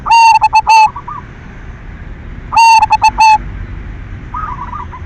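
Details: Silver zebra dove singing vigorously as a lure to stimulate other doves: two loud, overdriven phrases of four or five clipped coo notes, followed by a faint rolling coo from a more distant dove.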